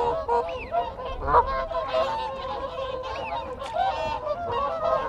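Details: Close contact calls from a group of whooper swans. Overlapping trumpeting honks run steadily throughout, while wigeon whistle and Canada geese call behind them.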